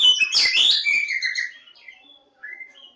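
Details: Javan magpie-robin (kacer Jawa), Lebakgowah, giving a loud burst of mixed harsh and whistled notes, then a descending whistle fading into quiet, with a final soft whistled phrase.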